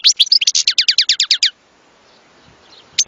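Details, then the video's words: European goldfinch singing a rapid run of about a dozen repeated downward-sweeping chirps in 1.5 seconds, then a quiet pause and a single short high note at the end. "صوت حسون لن تنساه طوال عمرك"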